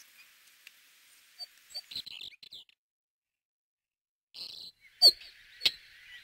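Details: Rock Sparrow, a rare or passage bird in Corrèze, France, giving a few short, high, chirpy call notes in irregular bursts, with a couple of sharp clicks and a faint hiss behind.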